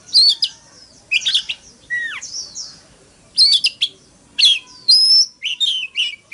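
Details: Decoy Oriental magpie-robin in fighting song, used to provoke rivals into singing; clear whistled notes, a descending slur and harsh buzzy clusters come in short bursts separated by brief pauses.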